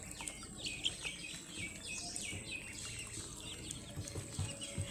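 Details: Baby ducklings in a brood, playing and waddling about, repeating shrill descending peeps in clustered runs, some notes overlapping as several chicks call at once, with a faint low hum underneath.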